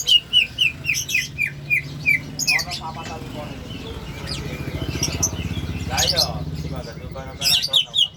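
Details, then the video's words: A greater green leafbird makes an odd-sounding call: quick, clipped chirps, several a second, with a few harsher buzzy notes, over low engine rumble and murmuring voices. "cucak hijau bersuara aneh"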